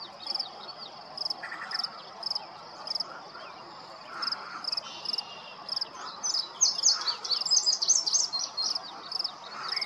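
A Yellow-breasted Chat gives a jumbled song of chucks, short whistles and harsh chattering bursts over a steady series of high, quick ticking notes.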